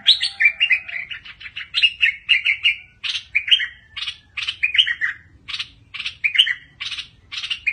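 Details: A fierce-style bulbul pours out a continuous, energetic chatter of short whistled and buzzy notes, several per second, with sliding pitch changes throughout and no pauses.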